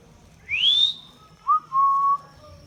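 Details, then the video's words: Indian ringneck parakeet making a high, rising whistled sweep, then a brief clipped note and a steady, lower whistle held for about half a second, in a quiet setting. "indian ringneck parrot talking"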